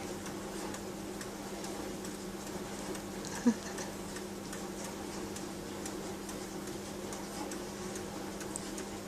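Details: Steady clock-like ticking over a constant low room hum, with one brief sharp click midway and no animal voices.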